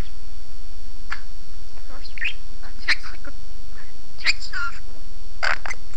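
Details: Pet parrot talking in Armenian, giving short, bright, squawky syllables in scattered bursts with pauses between them, in a quiet indoor room with a faint steady electrical hum.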